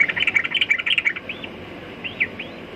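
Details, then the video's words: Rapid chattering series of bright chirps from a sooty-headed bulbul, followed by three separate rising-falling slurred whistles against a hissy background. "Burung Trucukan Kicau Mania"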